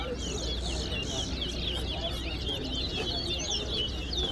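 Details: Chestnut-bellied seed finches at a singing competition at Guyana National Stadium sing fast, sweet runs of high whistled and twittering notes without pause, over a low hum and men talking in the background.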